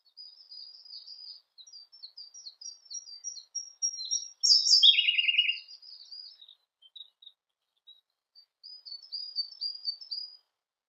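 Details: Siberian blue robin song: a series of soft, high, ticking notes, then a loud burst that drops into a lower, rapid trill, and more quiet twittering afterwards.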